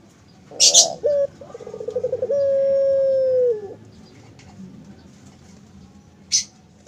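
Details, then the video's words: Barbary dove kept at a bird farm, cooing in the snoring crying style. Stuttering pulsed notes run into a drawn-out, even, low tone about a second and a half long. Sharp rattling knocks sound before it and again later. "Suara Burung Puter Mendengkur"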